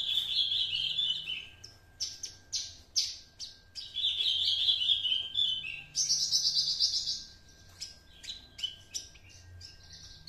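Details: Two-month-old juvenile Horsfield's bush lark of Javan stock, kept by a keeper, already delivering the master song material it has copied from another bush lark. A varied run of high thin chirps, slurred whistles and quick rattling trills, with brief pauses between phrases.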